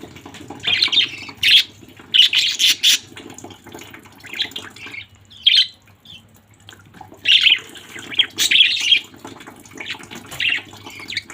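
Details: Budgerigars from a family group give scattered clusters of shrill chirps and squawks, with quiet gaps between bursts and a low steady hum underneath.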